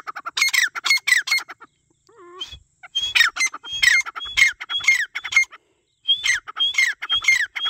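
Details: Grey partridge calling: loud, harsh, squawking notes repeated rapidly, about two per second, in runs of several calls broken by short pauses, with a brief softer tonal sound in one gap.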